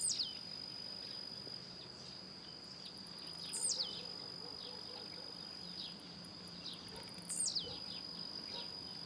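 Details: Blue-black grassquit that leaps and spins in the air as it sings: a sharp, high, downward-sweeping buzzy note heard three times, roughly every four seconds, over a constant high insect whine.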